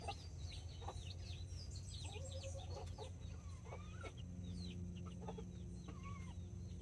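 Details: Two mama hens with nine mini and Brahma chicks in a backyard in Colombia, October 2024. Scattered rising chick peeps and a few drawn-out hen notes sit over a loud, steady low hum.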